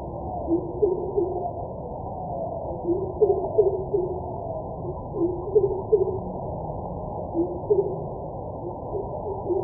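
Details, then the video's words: Deep hollow whoop-whoop series of a greater coucal (kubo in Bengali, crow pheasant), repeated in short runs of several low notes throughout, with a muffled, steady hiss behind. "Greater Coucal Call"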